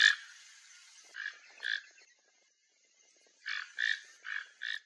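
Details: Free Toco toucan eating papaya in a Brazilian yard: rasping, frog-like croaks, two spaced notes, a brief silence, then four quick harsh croaks close together.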